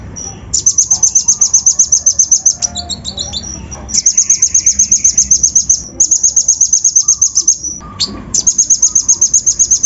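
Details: Brown-throated sunbird lure song with coarse imitated fill-ins, used to rouse other birds; bursts of very high, rapid buzzy trills lasting one to two seconds, separated by short pauses with a few thin slurred notes.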